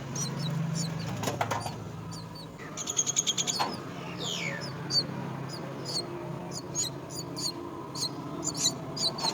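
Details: Myna looking after its young at the nest: clicking rattles and a fast stuttering burst, a falling whistle, then steady high, thin chirps repeated over a low hum.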